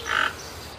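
A toucan gives one brief, harsh, croaking note, rough and mid-pitched, lasting under a third of a second, followed by quiet background hiss.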